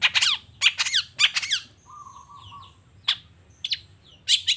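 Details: Morning long-tailed shrike in full voice: clusters of raspy, downslurred squawks delivered in quick bursts, then pauses with soft faint whistles and a steady low tone before more harsh notes return.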